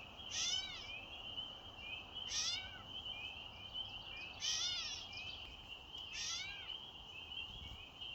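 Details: Repeated catbird mews, likened to a baby's cry. Four nasal, downward-arching calls come roughly every two seconds against a continuous shrill hum.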